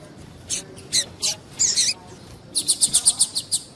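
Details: Female double-collared seedeater piado meant to rouse males for singing contests: a few separate high chirps and a longer buzzy note, then a fast string of about eight bright, regular high pips.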